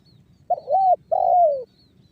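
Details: Spotted dove calling in the 'banggo bocor' style, used as a lure so other doves start calling, from Cirebon, West Java: two low hollow coos, the second longer and falling, about half a second apart, over faint background rumble.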